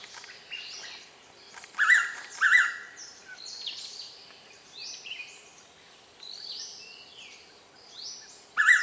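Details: Blue-winged Pitta, a breeding wet-season visitor to Kaeng Krachan National Park, Thailand, calling repeatedly from a nearby tree. A loud double whistle, then several seconds of other birds' rising and falling whistles, and the pitta's next phrase starting at the end.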